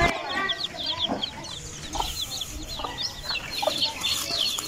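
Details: A brood of Aseel chicken chicks giving quick, high-pitched cheeping notes in an uneven stream, with occasional soft low clucks underneath.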